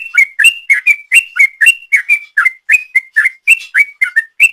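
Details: Long 'ropel' song of a sooty-headed bulbul, played as a lure: an unbroken stream of clear, bubbly whistled notes, about four a second, alternating rising and falling slurs with no other sounds.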